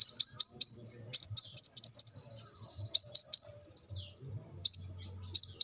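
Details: Brown-throated sunbird song mixing clusters of piercing high chips with rapid warbled runs, separated by short pauses and ending in single sharp notes.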